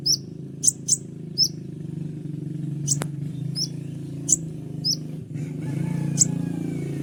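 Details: Kolibri ninja, an Indonesian sunbird, with shrill 'tembakan' notes valued for training songbirds: a few very high chips and short tweets spaced apart, a single click, then fading amid a steady low rumble.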